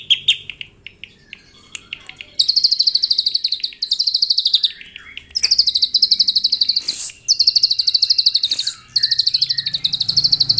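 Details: Morning song of a white-rumped shama, used to provoke rival birds into full song: scattered notes, then several long bursts of very fast, high repeated trills separated by brief gaps.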